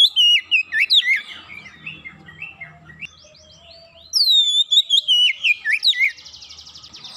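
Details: Singing Oriental magpie-robin used as a lure to get birds singing: loud whistled notes first, a softer stretch of varied twittering, then another bright run of downslurred whistles closing on a buzzy rattle.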